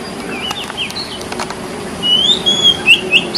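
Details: White-breasted oriental magpie-robin singing in the wild: clear, slurred whistles, some rising and some falling, in a quick run over soft chirps and a faint background hiss.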